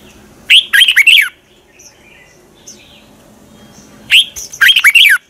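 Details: Morning fighting song of a red-whiskered bulbul, twisted 'giọng xoắn' voice used to trigger other birds to sing: two loud, fast, slurred warbling phrases, each under a second, with faint soft notes in the quiet gap.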